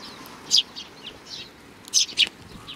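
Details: At a Tenmangu shrine in Japan, 31 May 2019, a group of sparrows gives a few loud, short, high chirps in two brief bursts, with softer twittering between them.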